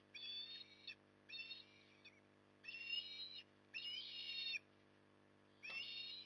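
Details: Osprey in Port Lincoln, Australia, feeding on the evening of 9 October 2020: five drawn-out, shrill whistled calls, some nearly a second long, spaced about a second apart, over a low steady hum.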